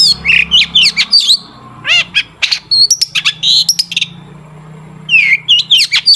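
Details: Long-tailed shrike in lively song meant to prompt other shrikes into singing: rapid high slurred whistles, harsh squawky notes and clicky bursts, with a brief lull and a faint low hum before a new run of chirps.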